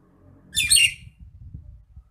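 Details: Nias hill myna, agitated, in a training recording for songbirds: one loud, harsh, raspy squawk lasting under half a second, broad and noisy, then only faint low rumbling.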